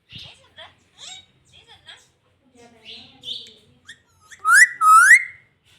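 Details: A pet green rose-ringed parakeet talking: short, scratchy, speech-like syllables in broken phrases, ending in two loud, upward-sweeping whistles.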